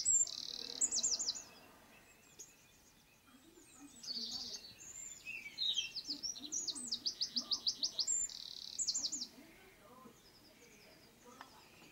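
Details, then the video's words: Eurasian wren delivering several loud bursts of high, rapid repeated notes and buzzy trills over twelve seconds, with quieter pauses between phrases. "EL CHOCHÍN. CANTO Y ALARMA."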